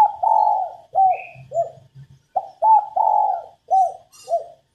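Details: Female spotted dove cooing to stimulate males to sing: a run of soft, mellow hooting coos, some drawn out and some short and clipped, grouped in two phrases with a brief pause between and a faint low rumble beneath.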